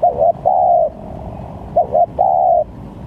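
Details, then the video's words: Two phrases from a spotted dove trapping lure with varied calls, each a quick double coo leading into a drawn-out, gently falling coo, with low background rumble. "Pancingan Tekukur||Berpariasi Bunyinya||Cocok buat Mancing Pikat"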